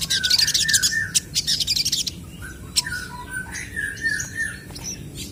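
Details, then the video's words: Crested jay birds answering one another, a lively calling exchange: harsh scratchy bursts and rattles alternating with short clear whistled notes that bend and slide, several overlapping phrases in quick irregular succession. "SOGON GACOR BERSAHUTAN"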